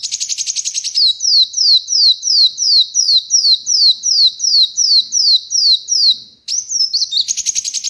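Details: Ruby-cheeked sunbird (kolibri wulung) singing freely, held in the hand without a cage, in Indonesia: a fast series of high, sweet downslurred notes repeated about three times a second, with brief buzzy trills at start and end.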